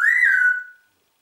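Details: Single pure whistled note from a pet Congo grey parrot, clear and steady, rising slightly, then fading out over under a second.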